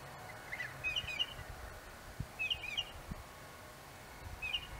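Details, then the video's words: Northern mockingbird singing from an apple tree, heard as a few quiet bursts of sharp, high chirped notes about every one and a half seconds against a hushed background. "Mockingbird song"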